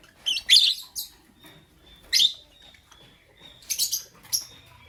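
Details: Lovebird chirping in the morning: sharp high chirps in short bursts around 0.5, 2.2, 3.8 and 4.4 seconds, with quiet gaps between and a faint steady tone in the background.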